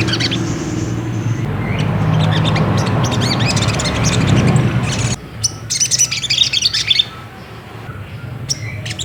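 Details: Ruby-cheeked sunbird, played to goad another bird into singing: scattered high chirps over a loud murmuring background, then after a sudden drop clearer bursts of fast sharp twitters.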